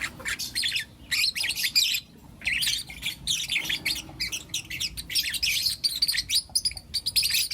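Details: Lutino lovebird chicks, four together in the morning, keep up rapid, harsh squawky chirps in irregular bursts, the calls crowding closely with only brief silences.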